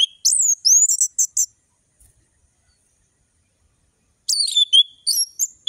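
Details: Orange-headed thrush singing a varied 'ngeplong' tutor song with sharp whistles: a string of clear, sweeping high notes and quick chips, a silent gap of nearly three seconds, then another rapid whistled phrase.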